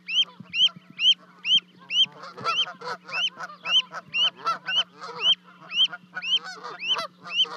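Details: Canada goose family in Charlo, Montana, 12 May 2020, two goslings having leapt from a 30-foot osprey nest. Crisp rising peeps repeat about twice a second throughout, joined midway by rapid rough honks.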